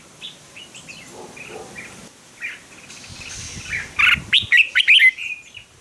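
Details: Red-whiskered bulbul fighting song used to stimulate birds: faint distant chirps and hiss at first, then a loud closing phrase of fast, rich slurred whistles near the end.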